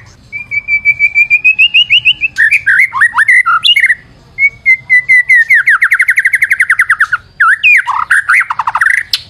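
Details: White-rumped shama singing as a lure: a long series of clear rising whistled notes, then jumbled slurred phrases and fast descending rattles, ending in sharp sweeping notes.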